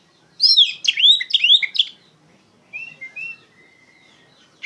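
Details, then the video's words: Oriental magpie-robin, recorded for training other songbirds, gives a loud burst of steep swooping and chattering notes, then a pause and three soft brief whistles. "PANCINGAN KACER NGEPLONG GACOR SUARA LANTANG COCOK UNTUK MASTERIN POCI BAHAN"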